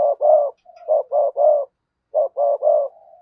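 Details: Decoy spotted dove, sa gù and thúc bổi cooing: two coos, a soft linking note, three rough coos, a pause, then three more coos ending in a long low hum.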